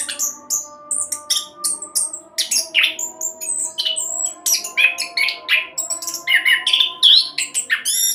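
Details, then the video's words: Orange-headed thrush in speedy continuous song used to provoke other birds into singing: dense rapid chirps, buzzy notes and varied whistles without pause, ending in slurred whistled phrases, against faint hum. "Anis Kembang Roll Cocok buat Pancingan agar cepat bunyi"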